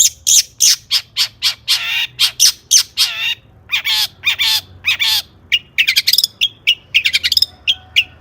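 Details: Caged long-tailed shrike (cendet) in full song, used as a master recording to train other birds; loud harsh chattering notes and squawks in quick bursts, then sharp clicky repeated notes toward the end.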